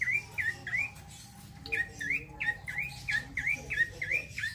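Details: Male bar-winged prinia in vigorous rolling song, repeating crisp, springy chirps roughly three per second in an unbroken stream, accompanied by faint level whistled notes of other birds.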